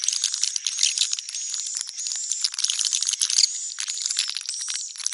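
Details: Continuous soft, rattling, high twitter from swiftlets, the neutral sound style, with a faint sustained whistled tone over the chatter.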